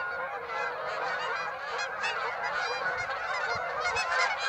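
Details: Canada geese, Birds Hill, 26 September. A big flock gives a steady wall of nasal honking with brief louder honks scattered throughout and soft low thumps near the end.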